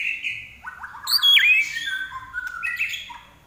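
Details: Common iora (larwo) singing vigorously: a steady high whistle, then a buzzy falling trill and a loud, sharp rising note, ending in softer descending whistles.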